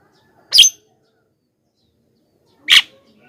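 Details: Two rough, buzzy Javan myna squawks about two seconds apart, part of a recording meant to lure wild mynas and get them to respond.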